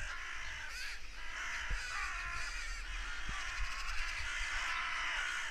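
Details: A flock of crows cawing noisily, apparently stirred up by a hunting goshawk; rapid, irregular rasping caws pile on top of each other over faint low-frequency rumble.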